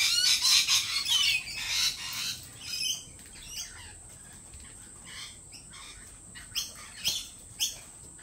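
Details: A loud run of scratchy lorikeet screeches at a lorikeet cafe fades into softer, scattered squawks and clicks, with a steady high whine in the background.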